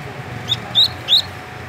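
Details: Captive double-collared seedeater in Rio de Janeiro giving the opening of its tui-tui song: three short, clear rising whistles spaced about a third of a second apart.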